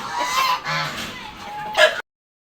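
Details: Domestic geese being let out to run around after about 20 days confined give a short run of loud, nasal honks, with a drawn-out note in the middle and a sharper, rising honk at the end.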